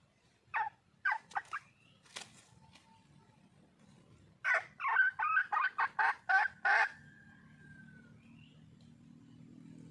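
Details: Wild red junglefowl hen calling for a male: scattered sharp clucks, then a tight burst of about eight loud, evenly spaced clucks around the middle, ending in a drawn-out note; low background hum.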